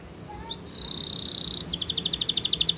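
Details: Canary training song heard against a hissy background: a sustained buzzy tone followed by a fast, evenly pulsed high trill.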